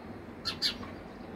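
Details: Sparrow near its home giving two quick, bright, high chirps in close succession, the second slightly louder, then a quiet pause with low background noise.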